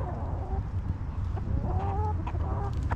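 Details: Backyard hens relaxing in a homestead coop give short, slightly rising tonal clucks and a brief drawn note, set against a constant deep hum and a few scattered clicks.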